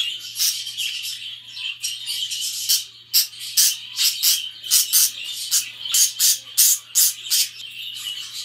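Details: Pet budgerigars chattering: scratchy, buzzy bursts of noisy high sound pulsing roughly twice a second, some bursts brief and others drawn out, over a faint steady low hum.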